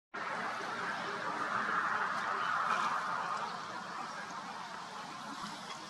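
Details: A flock of greater flamingos at Ria de Aveiro on 18 September 2022 keeps up a steady, goose-like honking chatter, many overlapping nasal calls several times a second, swelling slightly in the middle.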